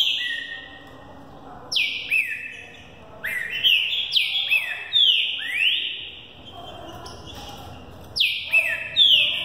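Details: Spirited young Green-winged saltator trained for the 2018 season sings the Thunder Truck song, passing 20 per minute. Loud, clear whistles swoop downward and flatten, packed into rapid repeated phrases with short silences between.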